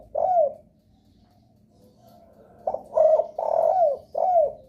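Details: Spotted dove lure call meant to make other doves answer and start calling; a single coo, then a phrase of four loud, low hooting coos, the longest note in the middle, each ending in a falling slur.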